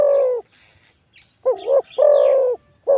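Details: Wild spotted dove cooing at a decoy bird during a trapping session. Deep, full coos include a wavering double note and a long steady note, with faint high chirps of other small birds in the gaps.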